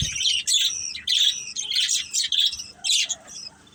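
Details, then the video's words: Pet budgerigars in a family group give short, loud bursts of high chirps and grating squawks, about two each second, divided by brief gaps. "Beautiful Budgies Chirping Sounds"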